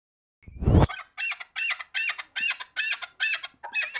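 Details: Chukar partridge calling: after a loud thump, a run of harsh, rasping notes in short bursts, about three per second, each similar in pitch and steady in rhythm.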